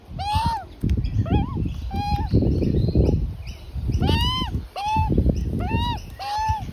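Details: Juvenile Australian magpie begs while its parents feed in a front yard; arched nasal squawks about once a second, partly masked by loud low rumbling and a person speaking.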